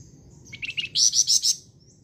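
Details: Flamboyan bird in energetic song. A faint thin whistle leads into a quick run of chirps that climb into a loud, sharp, buzzy trill lasting about a second.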